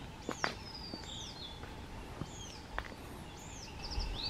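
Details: A blue-and-white flycatcher sings from the top of a pine at Shuhogahara, Kobe, around midday on 1 June 2020: thin, high, slurred whistles in arching phrases every second or so, with a distant Japanese bush warbler, low hum and footsteps.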